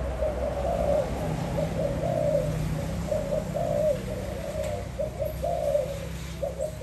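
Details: Spotted dove in a 2021 recording, uttering soft, muffled coo phrases in irregular bursts, with low droning noise underneath.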